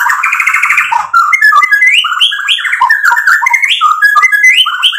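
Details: White-rumped shama singing a rich fill of varied material used to lure and provoke rival shamas: a continuous, loud flow of clear whistles rising and falling in stepped phrases with scattered sharp clicks.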